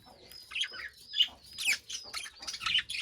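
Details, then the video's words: Budgies chirping in a cage: high arched whistled notes over dense, scratchy, buzzy chatter in several loud bursts. "Budgie Chirping Noises in Cage"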